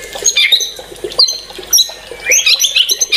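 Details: White-rumped shama giving quick high chirps and sharp squeaky notes, then a rising burst of twittering whistles.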